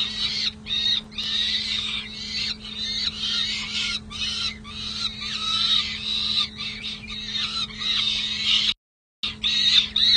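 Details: Peregrine falcon chicks, three sisters, at the San Jose City Hall nest box, California, 27 May 2024, recorded by nest camera. Dense, harsh, scratchy calls come in overlapping bursts under a steady low electrical hum, with one brief gap of silence.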